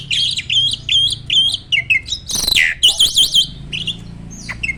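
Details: Adult male Asian pied starling at peak breeding condition, pumping as it sings: a series of short high whistled notes repeated almost three times a second, then a harsh rasp and a rapid wavering trill.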